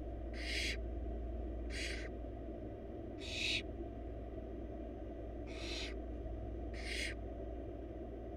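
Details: Wild barn owl nestlings, four in a nest box, as their mother feeds them a huge bunny: five rasping hisses about one to two seconds apart, each roughly a third of a second long, over a low drone.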